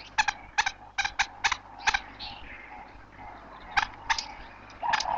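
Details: Greater honeyguide giving a dry, resinous chattering rattle in quick bursts with pauses, its guiding call to attract and lead a honey badger to a wild beehive near dense forest by water; faint background murmur.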